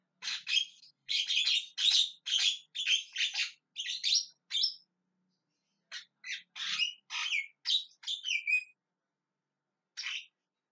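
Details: Javan myna calling at length: a long chattering series of harsh, scratchy squawks, a short pause, another burst of rasping notes, and a final lone squawk.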